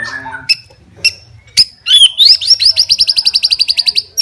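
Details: White-rumped shama fighter murai in a challenge song: a few separate sharp notes, then a fast, steady series of high, clipped, repeated notes.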